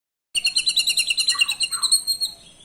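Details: White-rumped shama song played as a lure to make other birds answer: a fast run of about fifteen bright, rhythmic high chirps, with a brief lower buzzy note midway.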